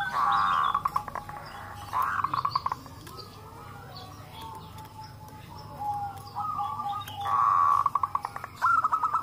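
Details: Local zebra doves calling together and answering each other, played to get other doves to call. Loud bursts of rippling coos alternate with quieter stretches of steady overlapping calls.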